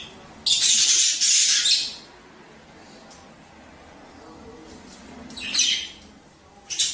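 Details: Budgerigar squawking meant to encourage mating: one long, loud rasping burst lasting over a second, then near quiet, followed by two shorter harsh squawks near the end.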